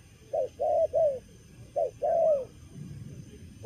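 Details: Young wild-caught spotted dove, vigorous despite being in moult, giving its stuttering 'cà lăm lỡ' coo: short low hoots paired with longer drawn-out coos, with a faint higher note over a low background hum.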